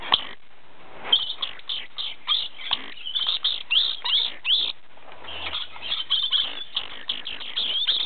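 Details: An orange-phase dusky lory gives harsh, screechy chattering calls in quick bursts, several per second, with a rasping, high-pitched quality and no other clear sounds.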